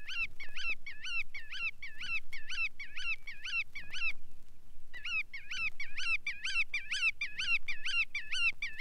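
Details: Bar-tailed Godwits (Limosa lapponica) give a rapid, overlapping series of nasal, upslurred calls, two or three a second, with one brief pause. A low hum sits underneath.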